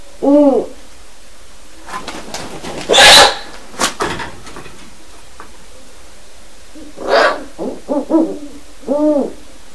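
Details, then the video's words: Two captive seven-month-old Great horned owl owlets in a breeding project give their first adult-sounding hoots while a wild resident owl visits; a few short, low, harmonic hoots at the start and end, between loud broadband scuffling bursts as they chase each other. "Great Horned Owlets Hooting"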